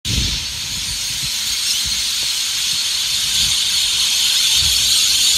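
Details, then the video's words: Hundreds of lorikeets at sunset in Hervey Bay, Queensland, screech at once, a dense, unbroken wash of shrill, harsh calls, with low rumbling bumps of wind underneath. "lorikeets by the Hundreds"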